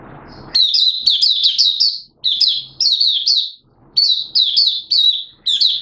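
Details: An Oriental white-eye (Malaysian) in minor moult sings rapid, high, thin twittering phrases in bursts of about a second and a half, with short pauses between.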